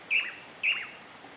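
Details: Pallid spinetail, while building a nest (a moss ball) unusually far outside the classic breeding season, gives two sharp, high chipping notes about half a second apart, each dropping slightly at the end, over faint hiss.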